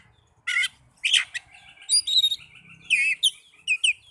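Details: Oriental magpie-robin song, used to coax lazy caged birds into singing: spaced bursts of chattering notes and a loud chirp, then thin whistles and quick swooping phrases, over a faint low hum.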